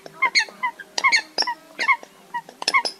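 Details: Eurasian coot sound played as a night net-trapping lure for migrating birds, August 2024: clipped, nasal kowk-like notes in small clusters, some doubled, with a low continuous hum behind.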